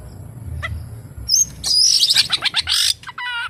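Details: Oriental magpie-robin song filled with kapas tembak imitations, here a loud harsh chattering burst of scratchy notes ending in a short descending trill.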